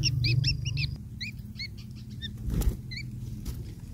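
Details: Long-tailed shrike chicks begging while fed by a parent, taking whatever food size it brings: short bursts of high, upslurred, ringing squeaks in loose groups, then pauses, over a steady low hum.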